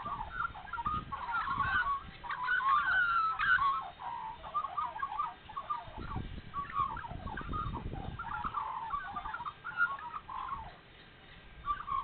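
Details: Several Australian magpies in spring at Nowra, NSW, early in the morning after being fed, carol together in rich, flute-like warbles and gurgles, overlapping in a continuous, irregular chorus over a faint low rumble.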